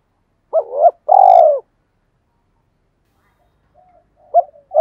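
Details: Spotted dove decoy calling 'hai hậu' to draw wild doves: an arched rising coo and a long level coo that falls at the end, then quiet, then a soft murmur and another short note.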